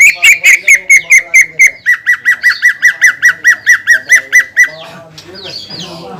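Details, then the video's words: Greater green leafbird song meant to provoke other leafbirds: a long, even string of sharp chip-like notes, roughly three per second, gradually settling lower, ending in softer scratchy twitters. "PANCINGAN CUCAK IJO GACOR YANG BIKIN BURUNG CUCAK IJO LAIN EMOSI DAN LANGSUNG GACOR"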